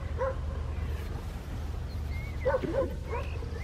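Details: Western jackdaw calling at Landtong Rozenburg in the Netherlands, 27 May 2023: an abrupt clipped 'kyak' at the start, then a quick pair of squeaky nasal notes later, with faint thin whistles against constant low wind noise.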